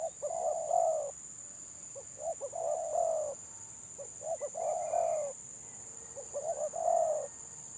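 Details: Spotted dove from a village, 'gagap' stuttering song: clusters of quick broken coos running into sustained low coos, four phrases in under eight seconds, with a continuous high electronic tone behind.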